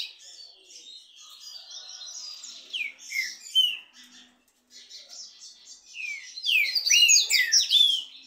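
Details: Trinca-ferro in a singing dispute between two birds: a soft warbled phrase, loud slurred whistles, a short pause, then a dense, loud burst of jumbled chirps.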